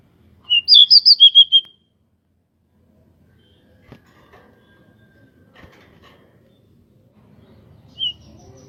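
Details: Local pied bushchat with wings spread, singing to provoke other birds: one quick phrase of about seven whistled notes at the start, then faint knocks and rustles and a single short note near the end.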